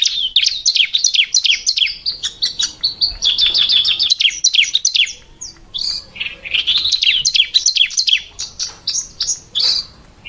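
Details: Chirping of a female bar-winged prinia (ciblek): long, busy run of high, scratchy chips and twitters delivered in rapid bursts with short gaps.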